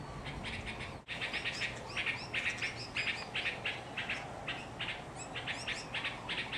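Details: A young red-vented bulbul in Hawaii, its vent not yet red, gives a rapid run of short, bright chirps in the upper-middle pitch range, about one a second, over steady background hiss.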